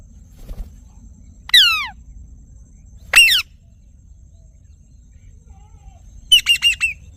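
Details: Ringneck parrot giving two harsh downslurred screeches about one and a half seconds apart, then a rapid run of four short chattering notes, with soft low background noise.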